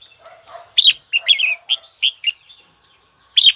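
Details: A red-whiskered bulbul kept for song, calling out to a rival. Soft low warbling leads into a run of five clear, punchy whistled notes. A pause follows, then one loud note closes the clip.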